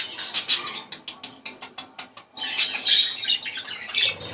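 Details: Budgerigar song played to stimulate breeding: a dense run of short, scratchy, high chirps and warbles, clustered and irregular, with a brief pause midway before the chatter picks up again.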